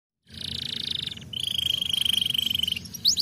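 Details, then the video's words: Canary singing in two long, fast trilled phrases, the first buzzy and high, the second a steady even rattle, with a brief sharp rising note at the end. "langsung nyautt dan gacor lagi gak?"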